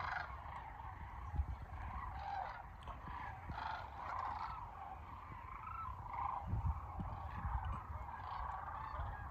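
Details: Many sandhill cranes calling together at Kearney, Nebraska, March 28, 2022, a continuous chorus of overlapping rattling, wavering calls, with occasional louder bursts and low rumble underneath.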